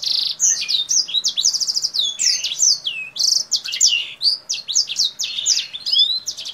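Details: Kingthroat singing continuously with opened wings, moving between high and low notes in a black-throated canary-like song: rapid twitters, drawn-out falling whistles and buzzy trill segments.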